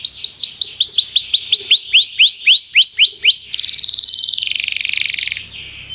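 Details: Canary sings to call another canary into song during training; a steady series of swooping notes repeated rapidly, followed by a dense buzzing high trill, then a fading close.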